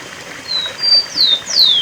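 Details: Rufous-collared sparrow, song of the style called cemitério: a few clear, high whistles, two level notes followed by two louder slurred notes dropping in pitch, all within two seconds, over faint rushing background noise.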